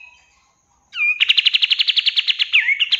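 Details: Cream-vented bulbul singing a training master phrase for caged birds: one down-slurred whistled note opens into a quick, buzzy rattling trill of about sixteen evenly paced pulses, then a brief warbled turn.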